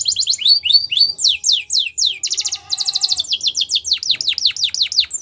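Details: Wild canary song of fast high swooping notes, a thick rattled trill with a deeper hum beneath, then quick downward whistles repeated in an even run.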